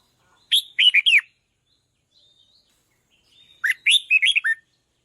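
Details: Red-whiskered bulbul song to provoke decoy birds: two bouncy whistled phrases, each of several clear up-and-down notes, with a faint thin whistle in the pause between them.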